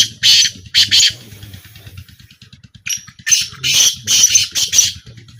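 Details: At a calling trial, a black francolin utters rasping, buzzy notes in two clusters, split by a short lull. A low mechanical-sounding throb continues in the background.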